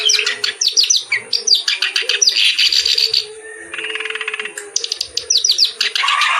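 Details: Reed warbler singing lively, with a good melodic style: rapid harsh chattering phrases and buzzy trills, repeated with hardly a pause, broken by a brief even rattle near the middle. A low steady hum runs underneath.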